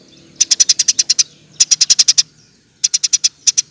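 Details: Eurasian tree sparrow chattering in the tight 'nembak rapet' style used for songbird training: three fast runs of bright, piercing chirps, each run of five to eight notes, with brief silences between.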